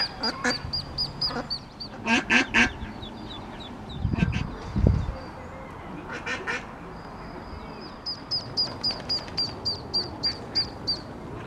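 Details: Baby ducks squeaking as they run along the riverbank towpath after their mother into the water at Iffley Lock on the River Thames, Oxford: rapid high peeps, about four a second, in runs, broken by louder broadband bursts.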